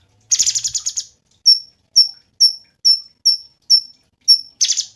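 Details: Cungkok song for cage-bird tutoring: a stuttering harsh buzzy rattle, then evenly spaced high clipped chips, ending with another rasping burst.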